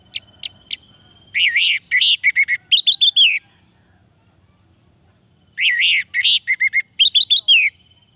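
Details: Song of the orange-headed thrush, meant to lure males that are lazy to sing: a few sharp ticks, then two long phrases of rich warbled, rising-and-falling whistles and fast chirps, separated by a quiet gap.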